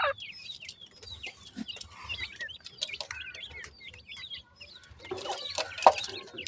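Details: Young grey francolins peep busily as they feed. Quick, high twittering notes run almost without pause, broken by scattered sharp ticks and a brief hiss late on.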